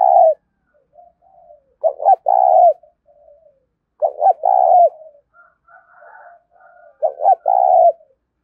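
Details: Spotted dove coo in the 'thúc' style that is said to bring wild doves quickly: repeated low phrases, each two clipped notes and a longer wavering coo, about every two and a half seconds, with faint softer cooing between.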